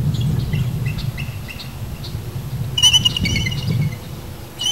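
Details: Bald Eagle at a nest 95 ft up an old dead fir in Sidney BC, Canada, 23 June 2009, three eaglets near fledging: thin, high chirping then a quick burst of shrill, stuttering chatter over steady low wind rumble.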